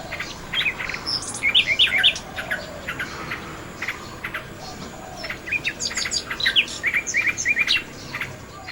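A common nightingale sings varied phrases of sharp whistles, clicks and fast repeated notes, broken by short pauses, over a steady background hiss.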